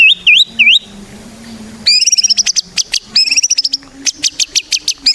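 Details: White-rumped shama song used as a lure for other shamas: three looping whistled notes, a pause with a low hum, then rapid high trills mixed with harsh bursts.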